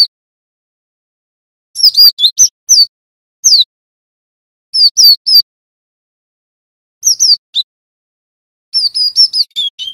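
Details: Java sparrow song from a master recording used to teach young males a rolling song: clusters of sharp high chirps and tinkling notes, in runs of three to six separated by silent gaps.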